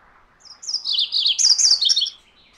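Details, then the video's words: Song of a MacGillivray's warbler: a brisk, chattering burst lasting roughly one and a half seconds, bright high notes first, then a slightly lower series of fast repeated chips, clean and close. "MacGillivray's Warbler Song ! MacGillivray's Warbler Sounds ! MacGillivray's Warbler Call"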